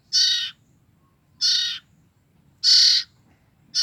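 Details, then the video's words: Two-week-old common iora siblings, young birds used for luring the parent birds, give loud rasping hissy notes, three full bursts about a second apart and a fourth just beginning, with little else audible. "BURUNG CIPOH KAKA BERADIK INI EMNG LUAR BIASA BRU 2 MNGG DAH BERBUNYI"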